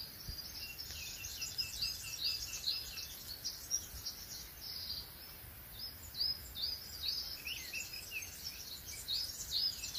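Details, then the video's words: Several birds singing together in a pine forest in spring: rapid, high twittering chirps repeated about twice per second, with sharp upslurred notes standing out and a few lower warbles, over a faint background hiss. "Kuş sesleri, doğada kuş sesi, orjinal ses kaydı çam ormanında huzurun sesi"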